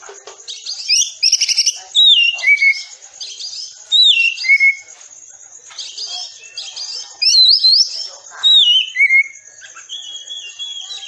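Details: Oriental magpie-robin masteran for caged birds in the dense 'tembakan rapat' style: loud bursts of buzzy notes ending in clear falling whistles, repeated roughly every two seconds, with a long level whistle near the end.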